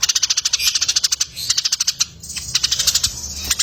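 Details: Eurasian tree sparrow in a competition-bird training recording that pairs it with another bird: fast runs of sharp, high, dry chirps at about twelve to fifteen per second, in bursts broken by short pauses.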